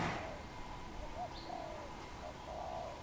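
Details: A wild dove on a tamarind branch gives a few faint, low, hollow coos at quiet level; one brief higher chirp from another bird and soft background hiss.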